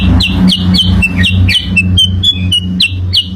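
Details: Lure song of a sooty-headed bulbul: a run of sharp, clear notes that each slide downward, given about twice a second at an uneven pace, with a constant low droning hum behind.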